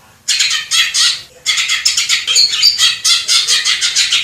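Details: Wild greater green leafbird in Indonesia delivering masteran song of harsh, raspy chattering phrases, pulsing rapidly, nearly continuous after a brief pause.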